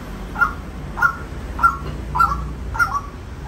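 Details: Five spaced, nasal kwak calls from a white-breasted waterhen, one about every 0.6 seconds, the last doubled, over a dull low-frequency background.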